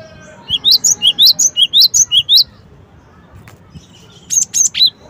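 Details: Cinereous tit repeating a clear two-note phrase, high then lower, about ten notes in a steady rhythm, followed after a pause by a few more sharp chirps. A faint low hum runs beneath.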